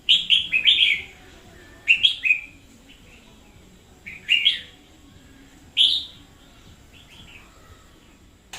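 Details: Red-whiskered bulbul lure bird in full energetic voice, 2021: bursts of two or three quick warbled whistles, then single bright phrases spaced a couple of seconds apart, background otherwise quiet.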